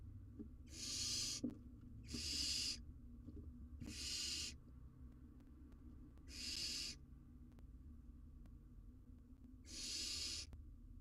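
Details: Wild barn owl owlet, filmed by a live cam, handling a massive jird that is too big for it. Five harsh, noisy screeches repeat over eleven seconds at uneven gaps, with faint rustling underneath.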